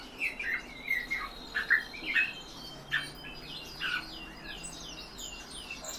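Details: European bee-eaters held in captivity give a series of short purring calls roughly every half second, then softer, higher chirps fill the last seconds.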